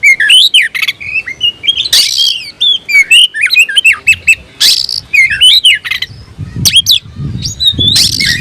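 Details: An oriental magpie-robin kept as a songbird, singing to challenge a rival: whistled upslurs and downslurs mixed with loud harsh rasping bursts, and a low rumble building late in the phrase.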